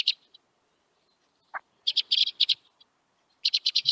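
White-winged Crossbill flight calls: dry, buzzy, mechanical chips around high pitch, given in quick clusters of four to six, with a lower rising note between.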